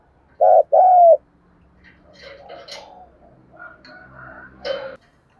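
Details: Spotted dove 'thúc gù' cooing: two loud low coos, a short one then a longer one, followed by faint murmuring, rustling and background noise.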